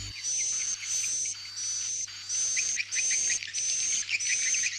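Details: Swiftlet farming lure sound to keep birds roosting: high, buzzy chirping bursts about every half second, each with a thin whistle and quick ticking notes beneath. A low hum persists throughout.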